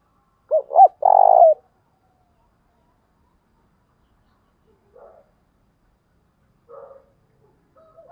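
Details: Spotted dove used as a decoy, calling in thúc bổi fashion to lure wild doves: one loud phrase of two short clipped coos then a longer rolling note, followed by long silence and faint murmurs.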